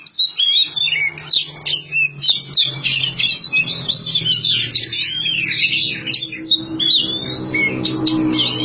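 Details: Magpie-robin kept by villagers singing a dense, loud medley of high whistles, warbles and buzzy notes, with a steady low hum underneath.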